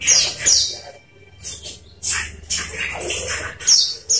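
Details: Olive-backed sunbird played as a lure so kept birds start singing. Dense, high-pitched twittering and squeaky chirps run in quick repeated bursts with brief pauses, with a faint low background hum.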